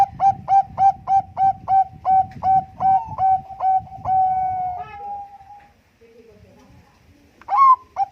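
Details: Zebra dove of Bangkok stock with contest-grade song used to prompt other birds: quick repeated clipped coos, then a drawn-out sliding note, near silence, and a fresh burst of coos at the end.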